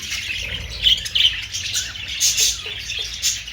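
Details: High twittering budgerigar calls, thin whistled chirps mixed with scratchy squawks in quick irregular succession, with a steady low background hum.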